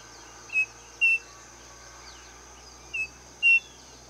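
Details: Striped cuckoo, called saci, repeating its plaintive two-part whistle, a short note then a stronger slightly rising one, two pairs about two and a half seconds apart with buzzing insects behind.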